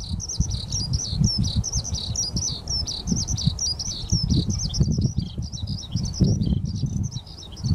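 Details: Skylark parent with its chick at Ogura, 10 May 2024. Quick, high chirps repeat almost without break in a steady twittering stream, with heavy low-pitched wind or handling rumble underneath throughout.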